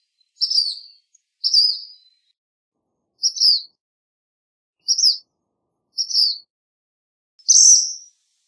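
A black phoebe gives six thin, high, slightly buzzy two-part phrases, one every second or so, against a quiet background.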